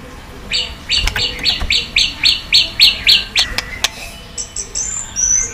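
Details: White-rumped shama, recorded for stimulating and training birds, giving a fairly soft series of about a dozen short, even high notes at a quick steady pace, followed by faint thin whistles.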